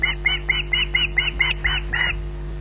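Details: Osprey at the Loch Garten nest squawking while waiting for food: a run of about nine harsh, evenly spaced squawks, roughly four per second, each short and rasping, over a steady electrical hum.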